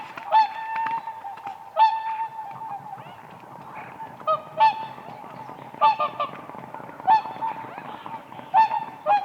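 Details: Whooper swans on the ice of a lake in spring give spaced, fairly soft trumpeting honks every second or so, with a continuous low hum of distant swan voices behind them.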